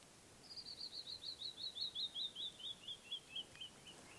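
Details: Canyon wren, wild and unseen, keeps singing in Navajo canyon country: a bright descending run of sweet whistled notes, roughly eighteen in a row, each slightly lower and spaced a little wider than the last, over quiet background.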